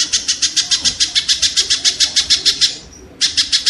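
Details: Loud, buzzy, rhythmic 'kek' notes from a kingfisher, repeated steadily for nearly three seconds, then a brief thin whistle and a fresh burst; the recording is meant for tutoring cage birds.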